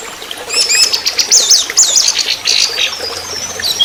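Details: Anis merah, the orange-headed thrush, singing trotol style for a training lure: a rush of very high, twittering and trilled notes tumbling together in an almost continuous stream.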